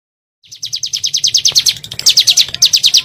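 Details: Bar-winged prinia (ciblek gunung) in a lure recording made to provoke birds into calling: a fast string of bright, high, slurred notes about four per second, briefly broken, then resuming.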